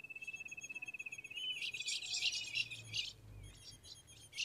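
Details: A female ultramarine grosbeak in the caatinga of Rio Grande do Norte, Brazil, calls to stimulate a male: a fast, even trill of high chips, then a burst of bright, sharp chirps and short notes.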